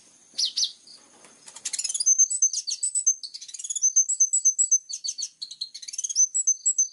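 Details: Plain-throated sunbird, called kolibri ninja, singing a varied medley of high thin whistles, short chips and quick buzzy notes in an unbroken twittering stream.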